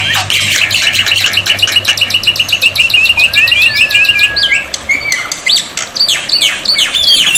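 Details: Black-winged myna tutoring song intended to make silent birds answer, part of water therapy: a fast rattling trill of repeated notes, a long drawn whistle, then harsh squeals and rising shrieks, very loud and busy.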